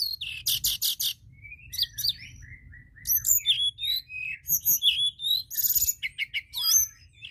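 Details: White-browed shortwing song, used as a lure recording to draw other birds: a fast jumble of high buzzy bursts, sliding whistles and twittering notes in quick varied phrases, with pauses between bursts and a faint low hum underneath.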